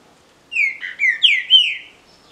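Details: Singing contest of captive-bred green-winged saltators: a single clear phrase of four rich, slurred whistles, each swooping down then up, ending in a faint high note against a quiet background.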